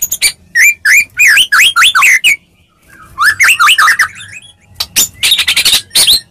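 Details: Medan white-rumped shama in a fighting lure song to make shamas answer: fast looping whistled notes in a tight burst, a short quiet gap, another tumbling run, then harsh clustered chattering notes.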